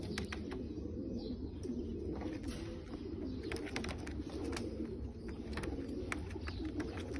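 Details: Several Bulgarian pigeons produce a continuous low, throaty cooing chorus of overlapping rolling notes. Many short knocks and clicks from movement are scattered throughout.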